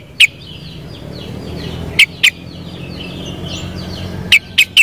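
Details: Sooty-headed bulbul uttering sharp bright notes, single and in a quick triplet near the end, ringing above a busy, constant twittering of other small birds.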